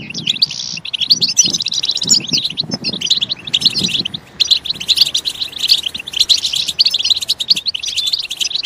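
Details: Goldfinch song for stimulating goldfinches: a drawn buzzy note opens rapid twittering, with faint low thumps in the first seconds, then steady bright chattering trills to the end.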